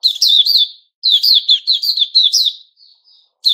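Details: A white-crowned shama, or Puteh Raja, during its new-feather season on 6 September 2021: a loud, fast phrase of clear whistles and bright chips, a short break, then a longer rippling string that fades out.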